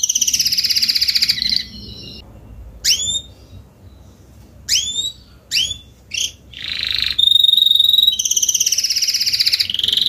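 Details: Salsa-coloured adult Spanish Timbrado canary, back from its molt, sings a rolling high trill, then pauses between sharp down-slurred chips and short notes before ending in a long steady trill that breaks into a fast pulsed roll.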